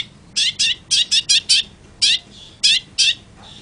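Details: Long-tailed shrike uttering a rapid string of nine loud, grating chack notes, grouped in quick pairs and triplets over under four seconds.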